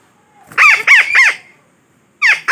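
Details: Parakeet trapping lure: three rapid harsh squawks, a short silence, then one more rasping call at the end.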